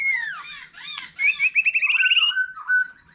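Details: Wild-matured white-rumped shama singing varied phrases with a laughingthrush: three loud looping notes, then a quick rattling trill and clear sustained whistles.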